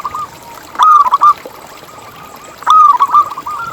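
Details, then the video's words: Zebra dove of local stock in song, played as a lure for other zebra doves: two short bursts of clipped, bubbling coos, each about half a second, separated by a quiet pause. "Lokal Gacor Suara Paling ISTIMEWAcUntuk Pancingan Burung Perkutut Agar BunyiTerus"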